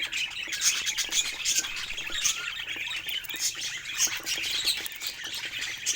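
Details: Several pet budgerigars chattering while playing: a steady, dense stream of high twittering, warbles and tiny clicks with no pauses.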